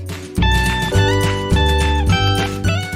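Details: Strummed acoustic guitar music with steady sustained chords and no animal voice.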